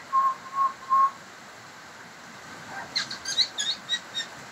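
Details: Pied butcherbird singing three evenly spaced, low, flute-like whistles, then after a short gap a quick run of high, bright, repeated notes.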